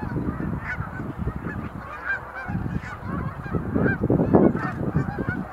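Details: Displaying sandhill cranes at Montezuma National Wildlife Refuge visitor center, November 2020: a constant chorus of rattling, bugled calls from many birds, mixed with frequent low thumping noise.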